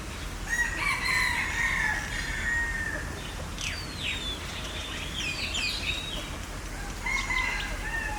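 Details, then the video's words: Green peafowl, recorded with a Sony A7IV in 2022, gives a long harmonic wailing call in the first seconds and a shorter one near the end, with quick rising chirps from other birds between them. "Green Peacock"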